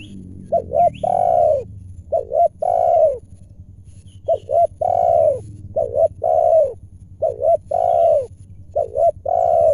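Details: Wild spotted doves with deep and clear voices coming down to a decoy during trapping in Indonesia; a rapid run of overlapping coo phrases, two short notes and a long falling coo, with faint higher chirps and low rumbling behind.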